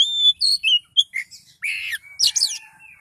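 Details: Oriental magpie-robin in highly agitated, vigorous 'kicau door' song: a quick run of clear whistled notes, slurred high phrases and harsh buzzy bursts packed into three seconds, no other sounds.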